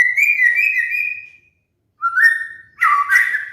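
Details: White-rumped shama song played as a master lure for molting cage birds: a long steady whistle, silence, a short rising whistle, then a warbled tumbling phrase.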